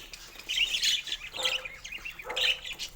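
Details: Playful pet budgies with toys in the morning: a short run of warbling, squeaky chirps in two or three quick bursts.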